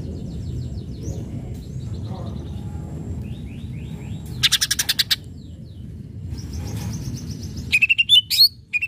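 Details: Greater green leafbird singing loudly to stir up rival birds. Faint chattering notes lead into a harsh buzzing burst, then a rapid string of sharp whistled phrases, all above a steady low rumble.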